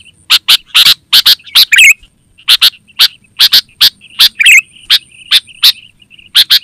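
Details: Sooty-headed bulbul calling actively, a recording used to lure wild birds in the forest and to tutor caged bulbuls: loud, sharp chirps in quick clusters, with two brief bubbly warbled phrases mixed in, and a faint steady high tone behind.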